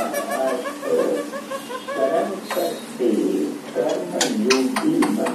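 A young Alexandrine parakeet chatters in soft, nasal, warbling phrases broken by sharp clicks and squeaks, varying in pitch, in a small indoor room.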